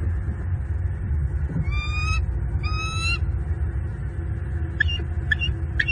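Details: Bald eagle pair at their nest tree in southwest Florida in the evening, heard mating but not seen: two drawn-out, ringing whistled notes that rise slightly, then three short sharp chips near the end, over steady low rumble.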